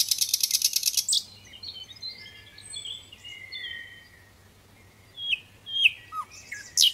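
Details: Little pied flycatcher song: a high, fast buzzy chatter for a second, then varied thin whistles and slurred notes, ending in sharp chirps.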